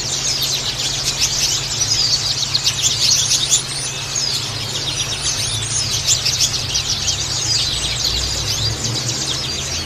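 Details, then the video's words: White-eye twittering meant to prompt other white-eyes into frequent singing: a busy stream of thin, high, overlapping chirps and short trills with no pauses, over a constant low electrical hum. "terapi pleci agar cepat ngalas"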